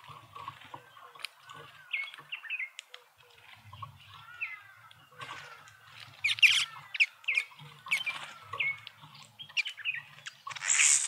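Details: Speckled mousebirds feeding together at a feeder in a suburban garden in Pretoria, South Africa: soft scattered twittering and short downslurred whistles, growing busier with sharp chirps, plus wing flutters and faint low background hum.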